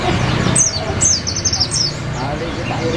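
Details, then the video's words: Olive-backed sunbird song meant for tutoring white-eyes: a bright cluster of very high, rapidly falling whistled strokes in quick succession, then quieter softer notes, over a constant low hum. "SUARA BURUNG SRIGANTI / SOGOK ONTONG ISIAN PLECI !!!"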